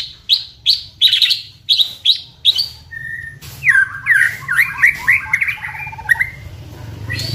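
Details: White-rumped shama, a favorite contest bird, singing as a lure to trigger song: seven evenly spaced high whistled notes, one low pure whistle, then a rapid cascade of bright downward-curving whistles over a soft low hum.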